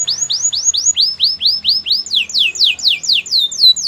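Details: Canary delivering champion training song: a string of bright, falling whistled syllables, each sweeping down in pitch, repeated about four per second, with the phrase stepping to a higher pitch and quickening near the end.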